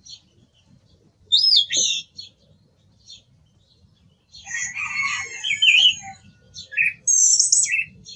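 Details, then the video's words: Song thrush song with loud, varied phrases: a sharp whistled figure, a pause, then a long tumbling stretch of warbles and trills followed by short bright notes. "Sonido del Zorzal Comun - Sturz cantator - TURDUS PHILOMELOS"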